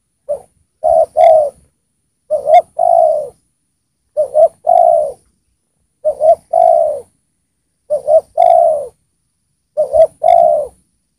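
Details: Gacor decoy spotted dove calling wild spotted doves down, delivering six evenly spaced low cooing phrases, each a stuttered double coo ending in a longer slurred note, roughly every two seconds.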